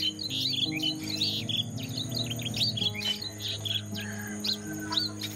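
Striated babblers chatter in a busy overlapping stream of sharp, high chirps and squeaky notes throughout, over a steady low droning hum.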